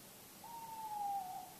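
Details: A tawny owl calls at night in August at Bergen, North Holland, Netherlands, approaching from a distance: a single smooth hooted note holding steady about a second, then sagging slightly in pitch, against a quiet background.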